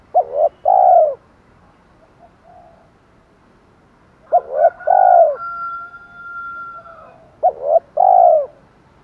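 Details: Spotted dove giving a 'thổ' style decoy call used to lure wild doves: three repeated phrases, each two short low coos followed by a longer rounded coo, with a faint steady whistle between phrases.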